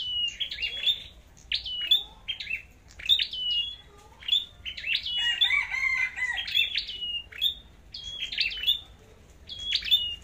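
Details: Red-headed flowerpecker singing competitively, sharp high ticks with quick downward slides into steady whistles repeated steadily, and a brief tangled, fuller passage near the middle.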